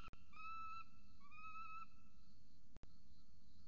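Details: At a camera-watched peregrine falcon nest in Orange, Australia, a chick with its mother gives two long thin whining notes, the second rising, then quiet, against constant low electrical hum and a click.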